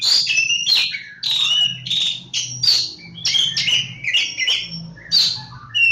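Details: Oriental magpie-robin, known locally as kacer jawa, singing a loud, varied run of whistled and harsh chirpy phrases with sharp clicks, phrases coming in quick succession with short pauses; a faint low hum underneath.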